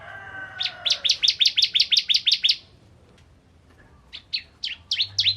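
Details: Bar-winged prinia, local name ciblek kristal, singing to provoke other prinias: a brief harsh note, then a run of doubled chirps, silence, and a few spaced, slurred chirps returning.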